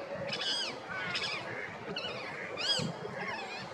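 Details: Female rose-ringed parakeet calling naturally: four shrill, arching screeches with strong harmonics, spaced about a second apart, over a soft low rumble.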